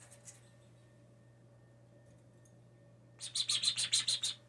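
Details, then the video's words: After a quiet stretch, a hand-raised indoor blue jay known for mimicking phrases and sneezes bursts into a rapid, even run of about nine high, clicking notes over a low steady hum. "This is what happens when you sneeze in front of a blue jay"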